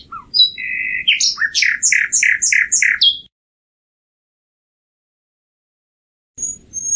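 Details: A common nightingale gives a steady mid-pitched whistle, then rapid paired notes repeated about five times in a rhythmic stutter, ending abruptly.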